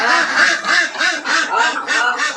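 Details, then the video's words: Domestic Assam ducks in a village quack in a rapid, nasal, harsh series, about three quacks a second, with several birds overlapping. "Beautiful Ducks Crying|| Ducks sounds"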